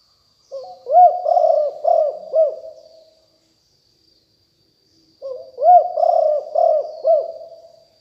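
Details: Spotted dove of a fierce strain, recorded as a decoy call for luring wild doves: two phrases of mellow, throaty cooing, each a short lead-in then three or four rounded, arching coos, separated by about two seconds of silence.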